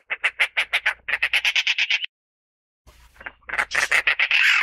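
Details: Eurystomus orientalis, the Dollarbird or 三寶鳥, calling in two bursts of rasping, rhythmic chack notes separated by a pause, the second ending in a loud grating cackle.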